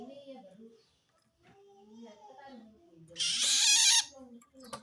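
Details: Long-tailed shrike calling to wild shrikes, said to signal it feels threatened by another shrike; soft murmuring and low notes, then one loud, grating, rasping burst lasting under a second.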